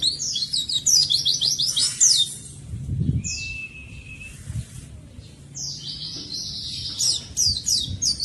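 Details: Oriental white-eye singing vigorously, meant to provoke and teach reluctant white-eyes. Rapid high-pitched twittering phrases alternate with a pure thin whistle and a quieter pause, before fast chattering returns; faint low rustles underneath.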